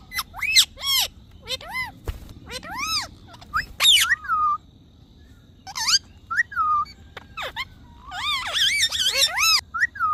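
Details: Pet parrot alternating arched, speech-like syllables with a repeated falling whistle and a dense harsh burst near the end, separated by short pauses.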